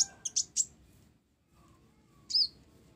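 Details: Mottled ninja sunbird giving a few sharp high chirps in quick succession, then after a pause a single slurred whistle, part of its song filled with sparrow notes.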